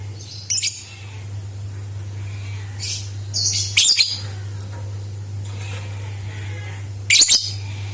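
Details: Lovebird sound played to make other lovebirds sing: scattered sharp, raspy high chirps, a few quick clusters several seconds apart, over a constant low electrical hum.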